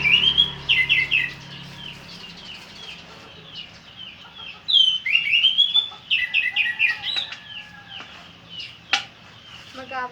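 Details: Orange-headed thrush in full song, pouring out fast varied whistled phrases, slurred trills and mimicked notes in rapid succession, with brief pauses between bursts.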